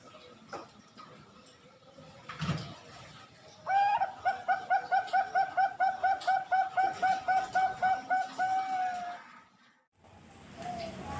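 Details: Captive zebra dove song from a bird farm in Pasuruan, East Java, Indonesia, a male and his two offspring hatched 31 March 2022: a fast run of about twenty evenly spaced cooing notes, steady and slightly falling, with faint background noise.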